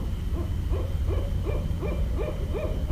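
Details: Steady string of short barred owl hoots, roughly three per second, recorded in Westchester, New York on 5.1.17, with a thin constant high tone and low background rumble.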